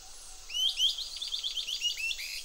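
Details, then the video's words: Bicolored antbirds following an army ant swarm in Panama's tropical forest give a quick chattering series of about a dozen high, slurred whistled notes in under two seconds, with faint forest background noise. "You can hear some bicolored antbirds."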